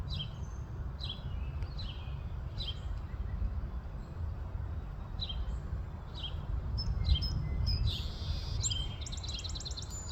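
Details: Eastern towhee in Virginia, USA; short high descending notes come about once a second, then a rapid trill near the end, all over a steady low rumble.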